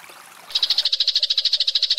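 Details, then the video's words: Long-tailed shrike giving a fast, even chatter of high, sharp notes, about thirteen a second, after a brief soft noisy lead-in; a rapid "speed" song used as training audio for cage birds. "Cendet Kuntilanak Sambung Gereja Tarung Speed Rapat"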